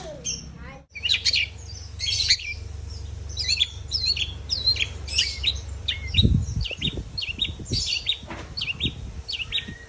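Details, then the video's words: Long-tailed shrike in full, energetic song: a dense run of sharp chirps, quick trills and short whistled notes, mostly high-pitched and tumbling rapidly, over a steady low electrical hum. "CENDET YANG MALAS BUNYI PASTI AKAN GACOR KEMBALI"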